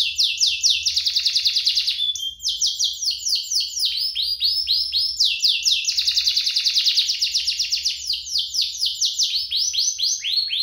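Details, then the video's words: Canary pair singing without pause, used to coax canaries into song and to teach young birds: long bursts of fast rattling trills alternating with runs of sharp, descending sweeps, continuous and loud. "Kompilasi DUO GACOR, cocok untuk pancingan kenari biar gacor, masteran kenari paud"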